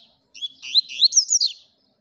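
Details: A newly acquired male double-collared seedeater of the velocista song type sings a quick burst of slurred, high twittering notes over about one second. No other sounds.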